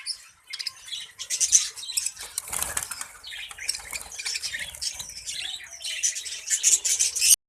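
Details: Colony budgies: fluttering wingbeats through a continuous bed of high, scratchy chirps and warbling chatter from several birds at once.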